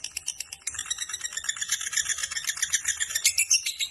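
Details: Lovebird of the fighter type giving a long ngekek trill: a harsh, rapid, rattling chatter of high buzzy notes pulsing about four times a second, sustained throughout.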